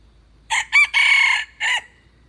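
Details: Red junglefowl crow with two brief opening syllables, a drawn-out rasping middle note and a short downward-curving ending, delivered once against a nearly silent background.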